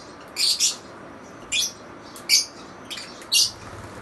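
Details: Lovebirds calling with piercing, scratchy chirps, some paired, others single, spaced about a second apart.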